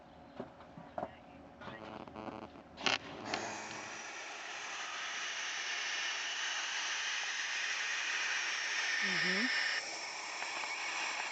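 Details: Barn owls in a hack box, agitated by a person standing up looking at them, give a long, harsh, steady hiss lasting several seconds, after a few clicks and bumps and a brief human murmur.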